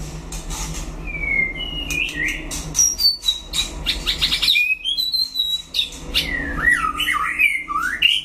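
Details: Duelling white-rumped shama sings a long, complex passage of thin high whistles, rapid ticking notes and buzzy flourishes, closing with looping, swooping whistled phrases, accompanied by a steady low hum.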